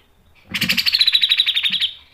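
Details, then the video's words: Grey-cheeked bulbul, sharp 'ngepik' lure song: a quick harsh rattle of tightly packed buzzy pulses lasting about one and a half seconds, with a few low knocks at the start. "MASTERAN CUCAK JENGGOT GACOR MBESET NGEPIK dan NEMBAK tajam | PANCINGAN CUCAK JENGGOT"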